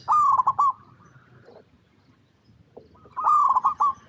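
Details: Zebra dove (perkutut lokal) cooing: two loud bursts of rapid staccato coo notes around one pitch, each about three-quarters of a second, separated by a quiet pause with faint background noise.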